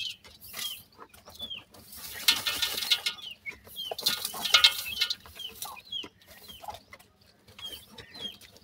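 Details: Several baby partridge chicks call with thin, falling whistled peeps. Bursts of rustling and flapping noise rise in the middle, then the peeps continue more sparsely.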